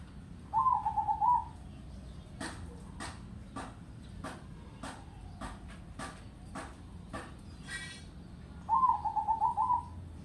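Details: Loud, bass-voiced crossbred zebra dove singing in double-ketek style: a rippling, pulsed coo phrase opens and another closes the stretch, with a series of sharp tapping clicks and a brief rustle between them.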